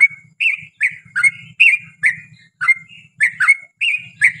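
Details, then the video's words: Lively yellow-vented bulbul song for luring another bulbul to answer: liquid, slightly slurred whistled phrases repeated in quick succession, each bending down then up, over a faint low buzzing hum. "KICAU SUARA trucukan gacor ROPEL PANJANG pancingan trucukan agar bunyi"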